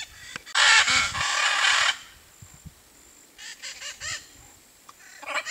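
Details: Blue-and-yellow macaw (Ara ararauna) camouflaged in a tree in the Brazilian Cerrado gives one loud, harsh, raspy squawk lasting over a second, followed by quieter rough calls further off.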